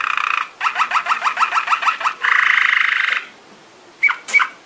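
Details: Belgian Malinois Waterslager canary training song: evenly spaced dripping notes, a buzzy bubbling roll, a quiet gap and two short whistles.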